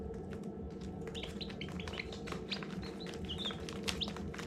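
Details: Many newly hatched baby chicks peep together in short, high, bright notes, several each second and overlapping, over a steady low hum.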